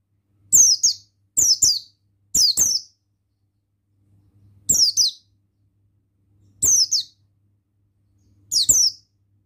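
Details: High, sharp descending chirps from a male buxtoni Oriental white-eye, given singly or in quick pairs about every second or two, some clustered at the start, with a faint low hum beneath.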